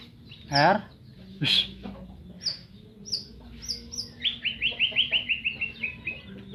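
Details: Medan white-rumped shama singing: a few loud sharp notes and high piping whistles, then a rapid even trill of about a dozen bright descending-pitch notes; faint hum in the background.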